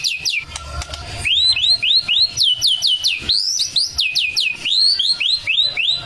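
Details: Male white-rumped shama singing a loud, steady series of clear whistled notes, each rising then falling in a smooth arc, repeated roughly twice a second after a few scattered opening notes.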